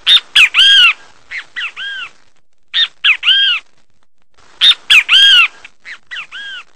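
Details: Loud, clear three-part phrases from a great kiskadee: two brief sharp notes, then a longer arched, ringing note. The bursts are delivered in quick succession with a silent gap mid-way and no other notable sounds.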